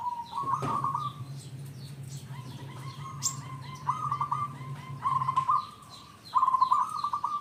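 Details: Local zebra dove in lively song, used as a lure to draw other zebra doves into singing; several trilled, stuttering coo phrases near one pitch, each about a second long, over steady low hum and repeated high chirps from another bird.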